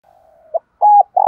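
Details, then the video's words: Spotted dove used as a decoy, calling to lure wild males: a faint low hum, a brief clipped note, then a loud flat, steady coo and the start of a buzzier one. "Tiếng cu mồi thúc. gáy gọi kích bổi chuẩn / Cu gáy mồi gáy gọi 1 hậu / Chim cu gáy mồi kích trống"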